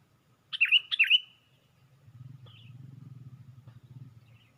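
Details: Sooty-headed bulbul lure recording, bird lifting its wings on a branch: two loud, quick notes open, each a downward swoop ending in a bright whistle, followed by a steady low hum from the surroundings.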